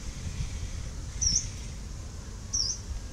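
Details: Yellow-browed warbler recorded on 10 November 2018: two short, thin, high rising call notes about a second and a half apart, over a steady low rumble of background noise.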